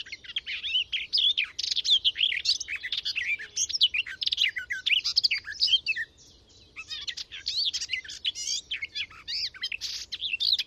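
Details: Garden warbler hidden in a hedgerow giving long flowing phrases of rapid warbled, chattering notes, separated by a short pause near the middle before the song resumes at full strength; parabolic microphone recording.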